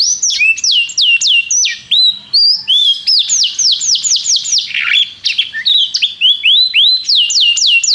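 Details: Singing canary used as a tutor for a young canary: high, sweeping slurred notes in quick series, some dropping sharply, others rising, with a brief rougher burst in the middle and constant loud delivery.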